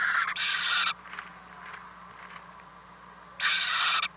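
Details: Owlets in a nest box during night feedings on 4-10-2018; a long harsh hissing rasp at the start, a quieter stretch, then another rasping hiss at the end over a low hum.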